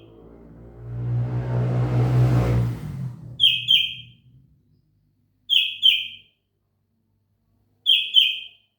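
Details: Sooty-headed bulbul kutilang isian song after a loud, broad rushing noise that fades over the first three seconds. Then three clean two-note phrases, each pair of notes falling slightly, come at spaced intervals.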